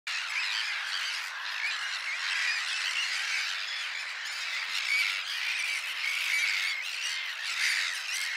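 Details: Sandwich terns newly arrived at a breeding colony where they have nested for several years, calling together: a constant dense chorus of harsh, grating, high-pitched 'kirrick' cries overlapping without pause.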